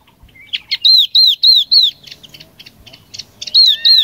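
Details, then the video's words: Chinese hwamei used as a lure to call the flock, singing loud, clear down-slurred whistles about three times a second, broken by quicker chattery notes before the whistles return. "Tiếng chim họa mi mắt vàng mồi gọi đàn"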